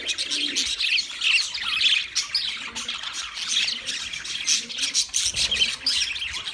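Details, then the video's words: Chirping of wild budgerigars, a busy mix of shrill twitters and scratchy squawk-like notes from many birds at once, steady throughout. "Wild Budgies Birds Chirping Sounds"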